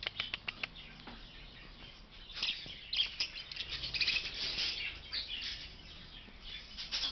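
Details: Young budgerigars in a flight aviary give scratchy, high chirps and warbling chatter, with soft wing flutters and rustling scattered throughout.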